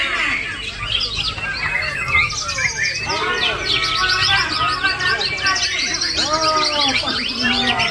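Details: Male white-rumped shama in full song, firing off its learned lorikeet-imitation phrases: a dense, fast stream of high chirps, trills and rising-falling whistles with scattered lower swoops, continuous throughout, with faint background voices.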